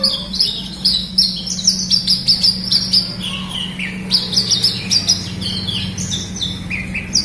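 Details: Horsfield's bush lark singing, played as a prompting recording for caged birds reluctant to sing: a fast run of high twittering notes and descending slurred whistles, with a constant low electrical hum.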